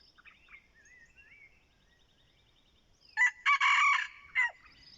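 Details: ['Red junglefowl used as a decoy, crowing once: a loud, harsh, broken burst of about a second. It follows a stretch of thin, sliding whistles from other birds in the background.']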